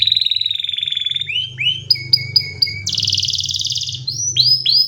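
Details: Canary song shifting between a steady rapid trill, short rising notes, choppy repeated chips, a dense buzzy roll and upswept whistles, over a low background hum.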